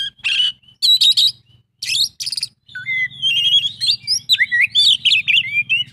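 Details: In an 'isian full' song, an Oriental magpie-robin opens with harsh scratchy bursts, then pours out a fast flowing string of varied whistled and twittering notes over a soft low hum.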